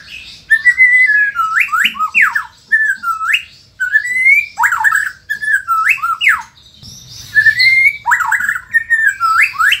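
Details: Caged white-rumped shama in Indonesia in full song: rich whistled phrases with swooping up-and-down slurs, repeated in bursts with brief gaps, loud and close.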